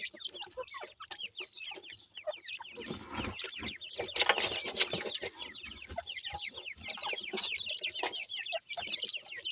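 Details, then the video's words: A group of francolin chicks calling continuously with dense, rapid, high slurred peeps, while a loud rustling burst covers the middle seconds. "teetar bird chicks ki sound"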